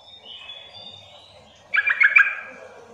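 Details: Sooty-headed bulbul calling to prompt other bulbuls to respond: a faint thin whistle first, then a loud bubbly burst of several quick, chattering notes near the end.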